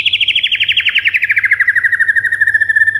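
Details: White-rumped shama recording meant to excite pet birds: a loud, even rapid trill of about thirty notes over three seconds, slowly sliding downward in pitch.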